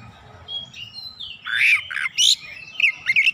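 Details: Oriental magpie-robin pouring out its varied song: a thin whistle leading into harsher, buzzy rasping notes, then quick chirped and whistled fragments, over a low background hum.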